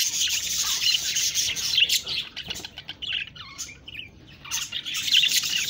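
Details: Budgies chirping in bursts of high chatter with squawky notes, a quieter gap in the middle, then the warbling chatter resumes.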